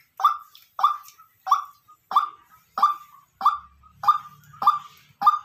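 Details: Nine harsh, emphatic notes from a decoy white-breasted waterhen calling naturally, repeated evenly at under a second apart, with a faint low hum toward the end.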